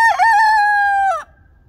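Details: Ameraucana rooster crowing: a rough broken start, then one long steady harmonic note held for about a second before a sharp falling cutoff, leaving quiet low background hum.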